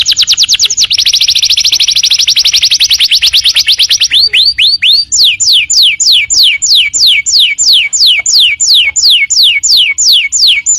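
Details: Canary singing as tutor audio: a very fast continuous buzzy trill lasting several seconds, then a short series of low-to-high sweeps, then evenly repeated downward-slurred whistles about three per second.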